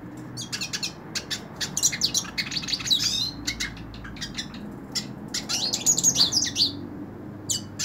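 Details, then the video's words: A hand-held hooded siskin delivers a broken, chattering song: clusters of sharp high chips and short buzzy warbles, pausing briefly between bursts, against a soft low background rumble. "Cabecita Negra Canta En La Mano / Pintassilgo Cante Na Mão"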